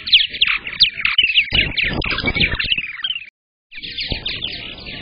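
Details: Purple martin chattering at a camera-watched nest on May 15th, 2022, when the first egg was laid: a rapid run of gurgling, twittering notes for three seconds, a brief silence, then softer continuous twittering.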